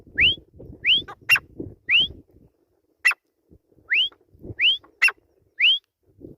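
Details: Grey francolin, locally teetar, giving a steady series of clear rising whistles about once a second, interspersed with sharp, clicky harsh notes over soft low background noise.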